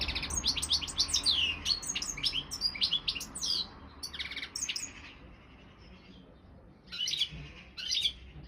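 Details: Entry bird for a world championship in goldfinch song, a Balkan European goldfinch: a long rapid twittering phrase full of sliding chirps and buzzy trills, then silence and two shorter twittering bursts.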